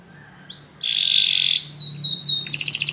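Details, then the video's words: Canaries singing after hearing music: a rising whistle leads into a rich buzzy trill, then quick repeated chirps and a fast pulsing rattle. "muitos canários cantam junto depois de ouvir essa música"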